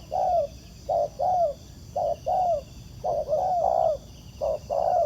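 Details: Repeated soft hooting coos from a wild spotted dove responding to a trapper's ground decoy; each phrase is a clipped note plus a longer descending one, some phrases overlapping near the middle, steady faint hiss behind.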